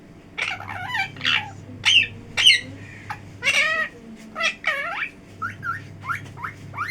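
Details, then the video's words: Parrot talking at length: a rapid run of varied syllables, with harsh bursts, curving whistled tones and falling slides, delivered almost continuously for several seconds above a low hum. "Talking parrot"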